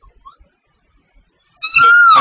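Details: A Sooty babbler from Vietnam: after a near-silent start, a single loud, clear whistled note that holds steady, then slides down at the end.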